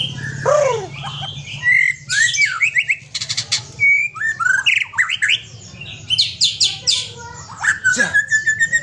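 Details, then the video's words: Aceh white-rumped shama kept alongside a companion bird, pouring out a long varied song of downslurred whistles, dense rattling bursts, buzzy trills and a final long rising whistle, steady low hum behind. "Murai Aceh + Punya Teman"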